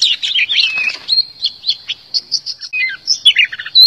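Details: Oriental magpie-robin singing as a decoy to lure birds and prompt singing: a lively, varied sequence of warbled swoops, short even whistled notes and quick trills, ending on a high rising whistle.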